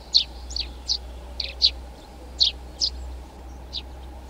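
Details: Eurasian tree sparrow giving short, sharp, high chirps, single or in pairs, spaced irregularly about once a second over a steady low hum.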